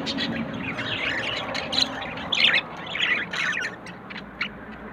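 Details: Budgerigar pair, a yellow male and blue female, forming a bond and searching for a nest; scratchy chirps and squawks in bursts over a low background hum.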